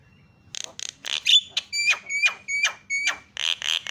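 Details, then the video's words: Starling lure sound to get silent birds chattering: a few soft rasps, then loud rising buzzy calls and a row of short clear whistled notes, ending in broad harsh bursts. "SEKALI PENCET JALAK LANGSUNG PADA CEREWET"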